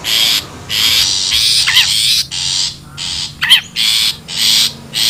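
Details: Long-tailed shrike in the wild, recorded as lure audio: a string of grating, hissy bursts at a steady pace, broken by two sharp zigzag call notes.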